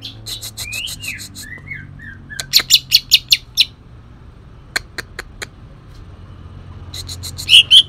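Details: Cucak ijo from Kalimantan, a green leafbird, singing a song laced with shrike imitation: slurred whistles, then a short rattle of clicks, scattered sharp ticks, and a final high burst.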